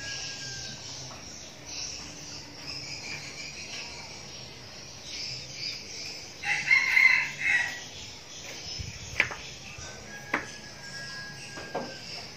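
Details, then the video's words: Young red junglefowl kept as a decoy bird gives one short crow, about a second long, with a harsh, harmonic-rich tone. It rises out of a steady hiss of insects, and faint clicks and knocks follow. "Gà mồi tơ"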